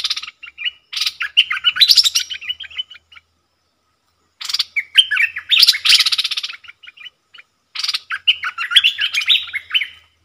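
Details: Wild southern bulbul in a singing duel with a caged lure bird, staying away from the cage: three loud bubbling, chattering song phrases, each about three seconds long, separated by short pauses.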